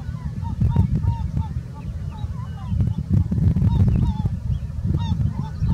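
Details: Herring gulls at a breeding colony on 21 May 2017: several birds give short, mewing, slightly downslurred calls in quick irregular succession, overlapping one another, over a heavy low rumble of wind.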